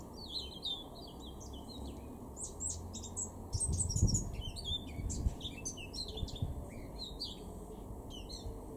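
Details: Garden recording from Weener, East Frisia, in Germany's far northwest, April 2021: a male Eurasian blackcap pours out a long, rich, rambling warble of rapid high twittering and fluted notes, with a brief low rumble midway.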